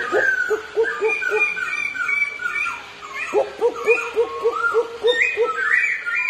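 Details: Two caged black-throated laughingthrushes singing against each other while dancing; loud rich whistled phrases, repeated looping notes rising and falling, overlapping voices with varied higher whistles above.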